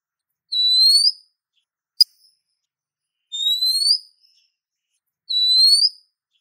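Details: Female Oriental magpie-robin calling a male with three bright upward-slurred whistles, evenly spaced about two and a half seconds apart. A single sharp click sounds between the first two.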